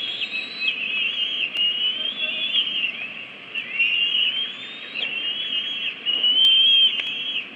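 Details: Bald eagles at a Washington DC nest on 22 May 2017, with two eaglets 53 and 54 days old, calling aggressively as the female arrives with a stick instead of food: continuous high, thin, whistled squeals that rise and slur.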